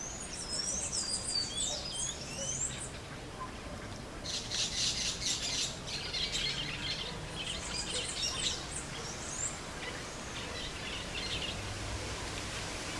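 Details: Plain parakeets feeding on the pods of Pseudobombax grandiflorum, giving thin, very high sweeping chirps at first, then bursts of shrill, rapid chattering notes, rather faint against steady outdoor background noise.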